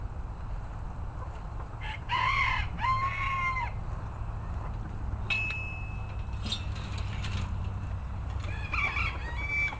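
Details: Bantams crowing, one bird's two-part crow near the start, then fainter overlapping crows from other birds later, over steady low rumbling background noise.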